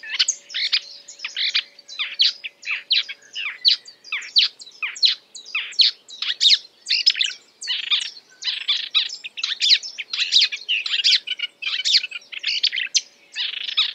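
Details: Dense, continuous song of a marsh warbler mimicking other species, packed with harsh chattering notes and brief twittering snippets in quick succession for fourteen seconds, a thin low hum in the background.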